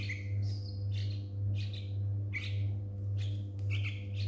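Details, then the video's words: Young Yellow-vented Bulbuls, two fledglings found apart on a front yard after a thunderstorm and brought indoors; brief sharp chirps and slurred notes repeated about twice per second, with a constant low mechanical hum underneath. "Lil Baby Birbs (Yellow Vented Bulbul)"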